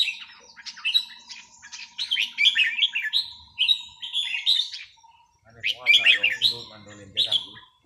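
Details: Red-whiskered bulbul singing during a free-day practice session: rapid, chattering whistled phrases over a faint steady hum, with a burst of speech near the end.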